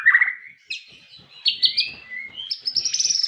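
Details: White-rumped shama singing a varied phrase: a low whistled note, then rising bright chirps and a high sharp trill at the close, the notes shifting quickly between low and high pitch.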